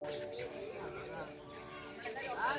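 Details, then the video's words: A macaw imitates human speech in a hoarse, word-like babble, ending in a couple of higher squeaky syllables, over a low background murmur. "Speaking Macaw"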